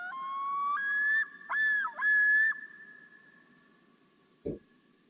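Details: Common loon song, one of its several versions, familiar around lakes and ponds in North America; long, pure, wailing tones step upward, break into two quick wavering dips, then hold a high note that slowly fades, followed by a brief thump.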